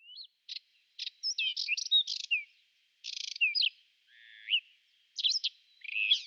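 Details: Whinchat in spring, April 2020, singing a run of short high phrases, each mixing buzzy chatter with quick whistled slurs, separated by brief pauses; a faint steady high tone runs beneath.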